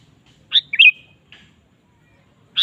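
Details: Sooty-headed bulbul in energetic song: a quick phrase of a sharp note and a bubbling, slurred trill, then a single bright chirp after a short pause.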